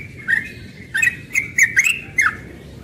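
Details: A few quick, rich warbled phrases from a young yellow-vented bulbul singing its rapid 'ropel' morning song, each note bending up then down.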